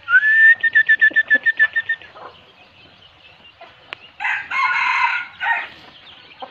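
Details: Decoy red junglefowl gives a quick run of about nine sharp, evenly spaced notes over two seconds. After a pause comes a loud, raspy crow in two bursts that ends abruptly.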